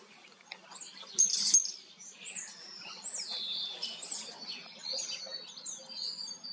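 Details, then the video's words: Common starling in the Eifel singing as it preens its feathers; quiet, wheezy high chatter and rasping whistles flowing in a continuous, rambling stream. "Star singt und putzt sich. Common starling sings and cleans up"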